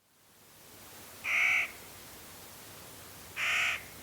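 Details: Clark's nutcracker in ponderosa pine forest in late October giving two raucous, harsh, nasal, drawn-out squawks about two seconds apart, each under half a second, over a quiet hiss of background.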